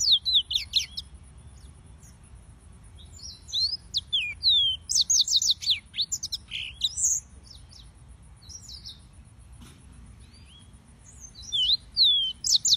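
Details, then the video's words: Yellow-fronted canary singing in short bursts of sweet high slurred whistles and trills, separated by pauses of several seconds, over a low steady rumble and a faint high continuous tone. "Suara Burung - (Serinus Mozambicus) White-tipped Green Singers Singing"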